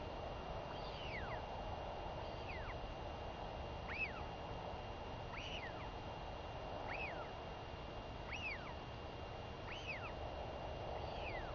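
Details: Begging female northern royal albatross chick, mother back from seven days at sea, 23 May 2021; evenly spaced, downward-sweeping squeals roughly every one and a half seconds, over a steady low rushing background.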